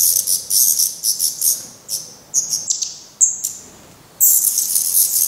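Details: Black redstart nest in Portugal, with fledglings that have tried first flights still being fed by the parents. Hissing high bursts alternate with several thin, clear whistled notes, then the hissing chorus resumes loudly.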